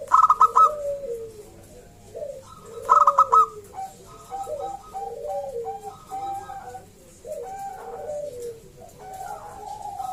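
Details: Local zebra dove singing, used to lure other zebra doves into song: repeated low, rolling, bubbling coos, each phrase a few seconds long, with clicking sounds in between.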